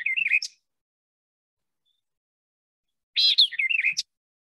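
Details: White-eyed Vireo, a bird of dense understory, back in central Alabama by April: two emphatic bursts of sharp, slurred, whistled notes, high and snappy, about three seconds apart, with no other sounds.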